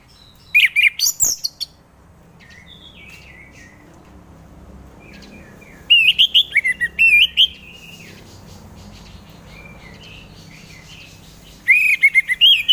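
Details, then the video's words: Orange-headed thrush song for prompting idle birds to sing: clusters of sweet, tumbling whistled phrases with quick slurred turns, split by long pauses, with softer twittering between the louder bouts. "Pancingan Suara Burung Anis Merah"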